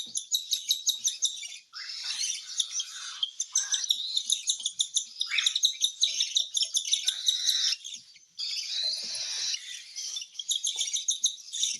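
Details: Cockatiel during hand-feeding, kept alongside budgies: dense, rapid, raspy high chirps repeated in quick bursts, with brief pauses and no other clear sounds.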